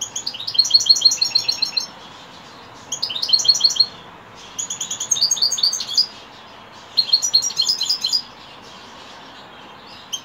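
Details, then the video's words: Singing European goldfinch in the evening, five bursts of fast, tinkling, repeated high notes with a buzzy edge, each separated by roughly a second of quiet. "Saka kuşu akşamüstü sefası"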